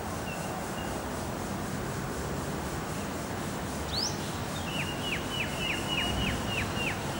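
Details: Olive-backed sunbird at a sixth-floor window of a dentistry building at Chiang Mai University, Thailand, on the morning of 18 August 2015. A thin rising squeak, then about eight sharp chips, roughly three per second, over a low traffic-like hum.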